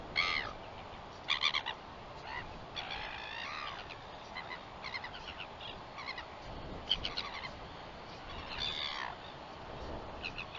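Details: Northern royal albatross on 21 September 2021, giving a scattered series of short nasal, wavering calls and brief bursts spread across about ten seconds, with quieter stretches and steady hiss between.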